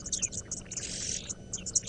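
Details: Oxpeckers alarm calling with high, hissing, buzzy chitters in quick bursts, several per second, probably at impala or kudu nearby; sunrise drive about 6:30 AM, 31 December 2017, Djuma, Sabi Sand, South Africa; faint low rumble and voice behind.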